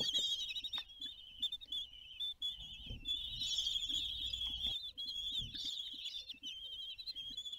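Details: Common kestrels at mealtime on the nest balcony at Théding, France, 20 June 2022: a continuous shrill, wavering trill, swelling at times, over soft thuds and rustling.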